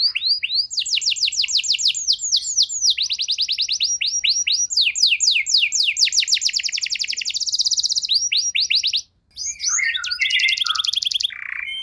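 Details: A canary sings continuously, bait to rouse canaries in poor condition: long fast rattling trills in shifting tempos, a short silence, then varied twittering phrases.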